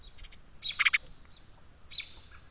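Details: An American Robin chirps in the background near a bird feeder in the rain: a quick cluster of sharp, high chirps, then one thin whistled note a second later, over a soft outdoor background.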